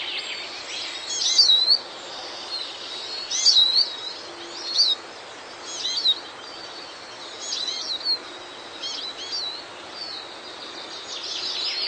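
Eurasian siskin giving high, thin twittering and wheezy phrases in short bursts every second or two, over a steady background hiss.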